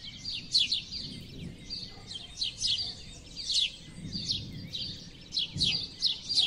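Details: Sparrows giving sharp, descending chirps in loose bursts, roughly a dozen notes, over a soft low rumbling background.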